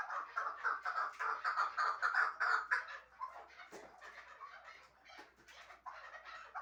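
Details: Chukar partridge from Shahritus kept for hunting: fast rhythmic chuk notes in a loud opening run, then a quieter, more broken series of clucks with a few clicks.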